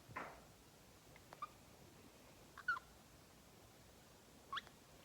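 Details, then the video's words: A pet male green-cheeked conure, 2.5 years old, makes tongue clicking sounds almost as clearly as a human, apparently taught. He gives a few sharp, dry clicks spaced one to two seconds apart against a quiet indoor background. "Parrot Makes Tongue Clicking Sounds, Green Cheek Conure Cute Sounds"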